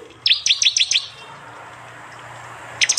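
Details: Prinia song in the fast 'tembakan' style, recorded by Android phone in East Java and combined with other prenjak and jali voices into a bird-training track: a burst of five sharp, high, downslurred chirps, quiet hiss, then another rapid burst.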